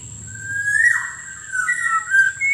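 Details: Lure recording of a black-naped oriole meant to draw in wild birds: a drawn-out whistled phrase of level and gently wavering notes, with a steady thin high tone in the background.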